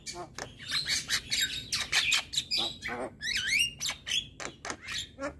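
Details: Song of a male Javan myna, used as tutor material that agitates other mynas: loud grating squawks and chattering notes crowd together, broken by a bold swooping whistle that dips and rises midway.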